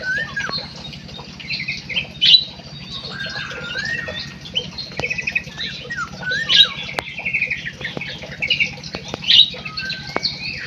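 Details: Munia singing: squeaky high chatter with thin whistled slurs, some rising and falling, in bursts with louder peaks roughly every two to three seconds over a steady low hum.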